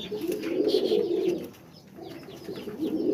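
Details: Deep, throaty pigeon coos rise and fall in a rolling phrase, pause near the middle, then start again, with scattered thin chirps above.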